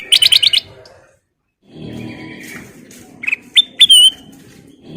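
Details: Lively sooty-headed bulbul song used as a lure: a rapid string of five sharp whistled notes, a pause, then scattered clear whistles, one long falling slur, against soft background rumble.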